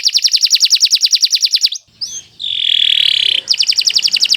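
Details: Kenari Nusantara canary, long continuous tutor song: a fast, even trill of high pulses, a short gap with a swooping note, a sustained harsh buzz, then the rapid trill resumes.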